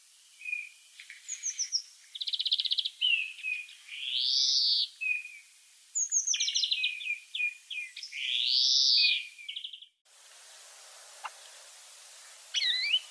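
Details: Free-living European greenfinch song: twittering trills and rattles mixed with long drawn-out wheezy rising-and-falling notes, the wheeze given twice, followed by a quieter stretch with a faint whistled call.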